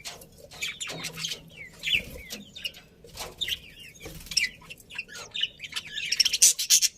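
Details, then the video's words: Happy budgerigars in a colony chirping together: a busy mix of quick twittering notes and short warbled phrases from several birds, growing denser and louder toward the end. "Happy Budgies Chirping Sounds"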